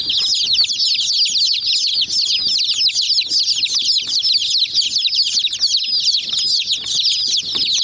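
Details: Young chickens mobbing a miniature white jeep toy, producing a steady stream of thin, bright, rapidly repeated peeps, many curving downward, plus fine tapping clicks.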